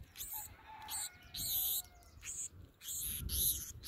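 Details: Black-throated sparrows feeding, food passed from a human hand to an adult's beak and then to another bird's beak; bursts of high, buzzy, hissing calls repeat in clusters lasting about half a second, with low rumbling handling or wind noise.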